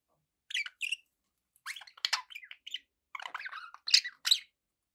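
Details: Captive budgerigars producing a quick run of high, scratchy chirps and warbled squeaks, broken by brief pauses.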